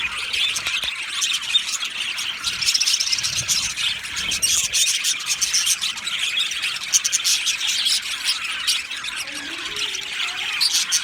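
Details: Aviary colony of male budgerigars, recorded 8 December 2025: a constant overlapping chatter of thin, high chirps and short warbles, steady in loudness, with a faint low rustle partway through.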